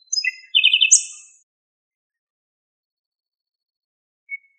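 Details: Song of a common nightingale in Greece, taken at long range: short whistles and a quick rattling trill climb to a bright high burst. After a lengthy silence comes a single brief note.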